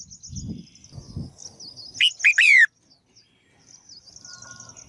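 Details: Female bird calling to spur males into lively song: a single quick burst of three harsh, descending buzzy notes midway through, over thin high trilling chirps and low background rumble.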